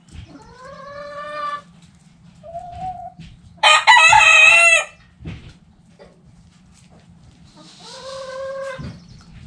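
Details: Backyard chickens: several roosters crow in turn, long harmonic calls with one loud, harsh crow in the middle, each lasting about one to one and a half seconds, over quiet background.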